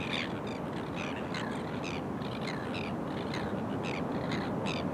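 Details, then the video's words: Courting crested terns, subspecies cristatus, on the coast at Kurnell, New South Wales, Australia, in early September 2020. Rapid grating, rasping calls repeat almost three times a second against constant surf and wind noise. "Charismatic Crested Terns – Courting and coupling up in Kurnell"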